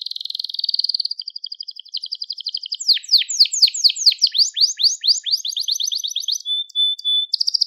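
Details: Crested Gloster canary song opening with a sustained buzzy high trill, moving into repeated loud downward-sweeping notes and ending on a pure held whistle and a bright rattle.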